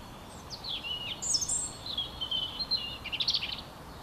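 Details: Spring song of a European robin: varied high, sweet warbling with thin sliding whistles and a brief sparkling trill near the end. The song is moderately clear over a faint outdoor hiss.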